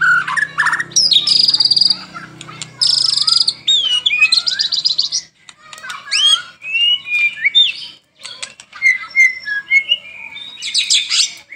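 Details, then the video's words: White-rumped shama singing lively in morning and evening, used as a master/lure song: a rich, fast medley of clear whistles, slurred rising notes and harsh buzzy trills with barely a pause between phrases. "Murai Batu Gacor"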